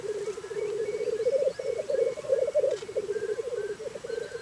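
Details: Black grouse in Scotland on a very cold morning: a dense, unbroken bubbling coo that throbs rapidly. Faint whistled notes from other birds drift in the background.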